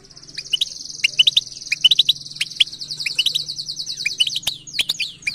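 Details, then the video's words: European goldfinch batbata song: a long, high, fizzing trill holds almost throughout while short chirps punctuate it, over a faint low hum. "أسمع المقنين هذه البتبته وشاهد قوة عصفورك الحقيقيه jilguero singing"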